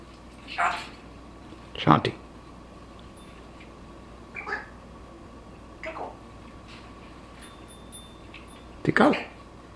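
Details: An African grey parrot on a rope perch in a quiet indoor room utters five short, speech-like words and squawks a couple of seconds apart, including "Hola, chiquito" and "Come here."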